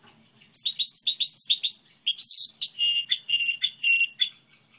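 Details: Goldfinch hybrid delivering its model song, a run of fast repeated chirps giving way to steadier whistled notes and buzzy trills.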